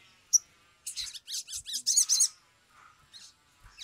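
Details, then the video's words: Agitated Sumatran leafbird, a recording meant to lure other leafbirds into song: one sharp high note, then a quick run of about eight harsh, high, chattering bursts, trailing into soft faint chips. "pancingan sogok ontong atau SOGON biar cepat bunyi"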